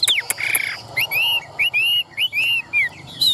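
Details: Caged Chinese hwamei in song: a few sharp chips, then clear arched whistled notes repeated at short, uneven intervals, each one swelling up and falling away, with a higher whistle to close.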